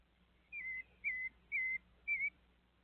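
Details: Four short whistled notes from a sabiá thrush while a little monkey visits, each falling slightly then levelling off, spaced roughly half a second apart.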